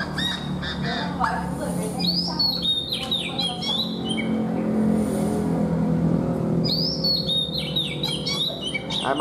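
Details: A caged wild-caught Chinese hwamei, very old and kept for just over a month, is prompted to sing: loud, varied whistled phrases with rapid rising and falling notes over a steady low hum and some speech.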